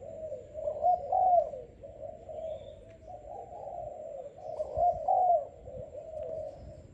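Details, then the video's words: Selected young Malaysian-type spotted dove, about five days in keeping and calling strongly, gives two low coo phrases, each a couple of soft notes rising to a louder drawn-out coo, a few seconds apart. "Cu gáy Malaysia/chim tơ tuyển chọn"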